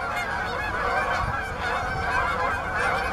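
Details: Flock of Canada geese seeking open water at Bass Ponds, Minnesota, November 23, 2013, filling the air with a steady wall of overlapping honks.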